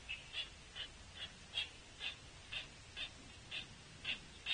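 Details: A young pileated woodpecker at a bird feeder begs food from its mother with short, high, rasping begging notes, about two or three a second, over a soft steady background hiss.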